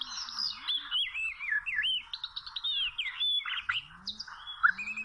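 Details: Wild Oriental magpie-robin, recorded during trapping with small ropes, sings a rapid run of varied whistled notes. Sliding, warbling phrases mix with brief chirps in a busy, continuous stream lasting about five seconds.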